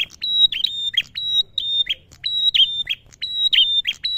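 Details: Loud male prenjak song used to provoke prinias and ciblek into singing; bright high whistled notes broken by quick descending chips, repeating about once a second.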